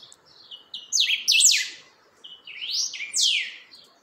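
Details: Creamy-bellied thrush practising and steadying its song: soft high notes swell into loud, sweeping, descending whistled phrases. A brief lull is followed by a second rising-and-falling burst.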